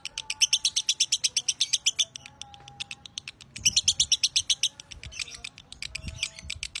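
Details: Caged lovebird Broty, a champion masteran bird, sings a long series of rapid harsh chirps in two dense bursts, about three notes per second, with faint low hum and scattered thumps in the background.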